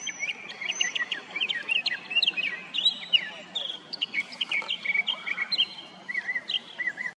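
A Northern mockingbird sings a rapid, varied medley of chirps, whistles and slurred notes, phrases changing every second or so, over a soft background hiss.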